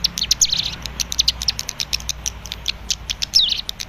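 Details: Young cigun, the local name for Hill Prinia, learning to sing so a raw bird joins in: fast, steady stream of thin high chirps with a few slurred, descending twitters near the end.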